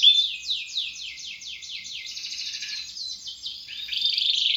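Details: Canary in energetic (gacor) song, said to be suited for prompting other birds: a run of high downward-slurred notes about four per second gives way to a thin buzzy trill, then a louder rolling phrase at the end.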